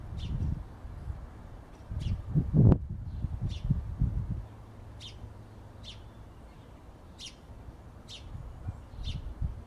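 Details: Sparrow giving short, sharp chirps spaced about a second apart through a steady run of calls, over loud low rumbling background noise with bursts of rustling.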